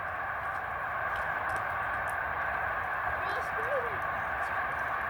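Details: Snow goose flock of over 125,000 resting during late-winter northward migration at Middle Creek Wildlife Refuge, 18 February 2020, a whole field taking off: a continuous roar of overlapping nasal honks so dense that single calls blur together; a person speaks briefly.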